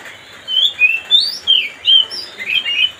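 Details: Kacer (Oriental magpie-robin) singing to provoke another bird: a steady chain of eight or so slurred whistles, some rising, some dropping, delivered briskly over three seconds.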